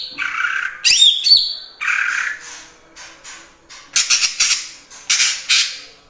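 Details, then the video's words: Greater green leafbird in full song with mimicked kapas tembak and cililin phrases: rasping, squawky notes and a brief high whistle, then clusters of buzzy, hissing bursts repeated about every second toward the end. "Cucak Ijo Gacor Full Isian Tembakan Kapas Tembak dan Cililin"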